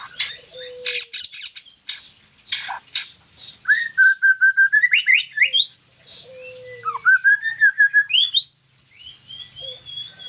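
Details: White-rumped shama singing sharp clicks and whistles, then a long run of rapidly repeated notes rising to high swoops, followed by a descending trill and a sustained high whistle.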